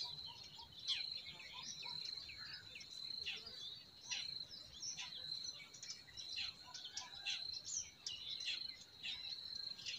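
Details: Forest birds singing in spring: many short, high chirps and quick trills scattered throughout, over a steady high insect-like drone and a soft background hiss.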